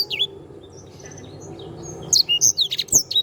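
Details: Canary singing energetically, recorded as a tutor track for training other birds: after a quiet start, a burst of high, sharp, fast-changing whistles and chirps fills the last second, with a faint low hum behind.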